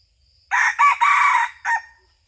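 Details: Red junglefowl crow recorded while hunting, 2022–2023: a loud, coarse, four-part crow with three joined rasping syllables and a short clipped final note, over near silence.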